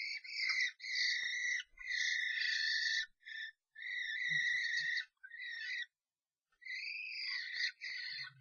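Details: Common starlings brawl in a nest box as an outsider invades a pair's box: long, harsh, grating screeches in near-continuous runs, broken by short pauses, with faint knocking.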